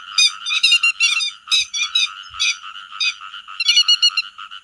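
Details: Flock-gathering calls of grey-headed lapwings, used to lure birds into nets: grating, harmonic calls in rapid overlapping series, with loud bursts at the start and end and a quieter middle.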